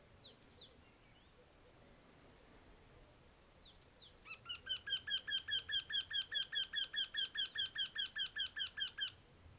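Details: A Eurasian wryneck calling from a walnut tree beside a garden in Bulgaria on 19 April 2021 gives a steady run of about twenty nasal, slightly falling notes, roughly two per second, after faint whistles from other birds.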